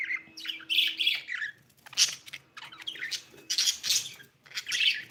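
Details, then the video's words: Egg-laying budgerigar chattering with harsh squawks and busy warbled chirps in repeated bursts about every second, over a faint background hum. "budgie chirping sound"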